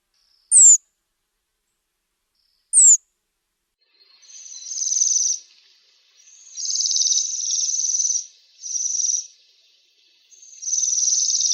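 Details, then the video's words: Waxwing calls: two sharp high downward-sweeping notes, then a run of high, buzzy, trilled sirrr notes, each lasting about a second, separated by short pauses; no other sounds. "Свиристель. Голоса птиц"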